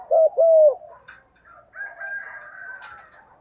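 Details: Spotted dove decoy calling the flock in the morning: two loud mellow coos, the second drawn out and falling, followed by a fainter wash of other bird twitters and background sound.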